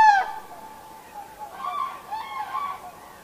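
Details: Common crane at Heinä-Suvanto nature reserve, Viitasaari, recorded 26 April 2011: a loud, harsh trumpeting note that slides slightly downward, followed by two quieter, rolling trumpeted calls, all rich in overtones against a calm background.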